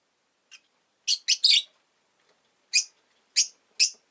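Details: Pair of rosy-faced lovebirds at the entrance give a faint chirp, then a quick run of three harsh chirps, followed by three evenly spaced single chirps.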